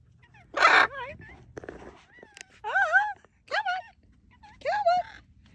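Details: Playful macaw switching from play to flight: a harsh burst followed by several wavering, squeaky calls with harmonics, spaced a second or two apart, plus light knocks and handling noises indoors.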